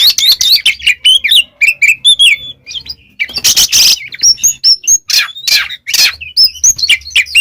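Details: Oriental magpie-robin performing loud training song for pet birds: quick series of chirps and whistles, a harsh rasping burst midway, then lively whistled phrases.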